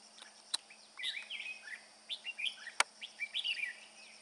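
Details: Carrying food, a male red-whiskered bulbul pours out quick, tumbling whistled phrases almost without a break. Two loud clicks cut through, and a thin high hum stays steady in the background.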